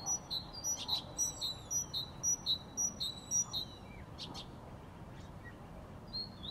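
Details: Sparrow chirping in a quick, even series of bright, clipped notes, about three per second, then a few scattered calls, with a quiet background.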